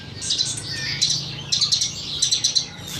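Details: Horsfield's bush lark song used as a training tutor: fast, high, twittering chirps in uneven clusters, about 85 notes a minute, over a quiet low hum.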